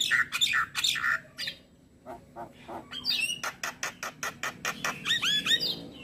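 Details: Black-winged myna song from a training recording meant to be played each morning so caged mynas start singing: harsh squawks, then a rapid run of sharp, broadband clicks and chattering notes, ending in whistled rising-falling phrases.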